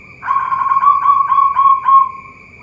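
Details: Local zebra dove at a bird farm in Boyolali, Central Java, Indonesia, giving a low cooing phrase: several quick stepped, burry notes running into a longer drawn-out final coo, over a steady high electrical whine.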